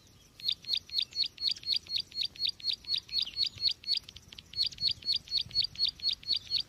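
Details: Bar-winged prinia calling, used as a lure to trap birds: brisk repeated high chirps in a steady train, a short pause near the middle before the series resumes.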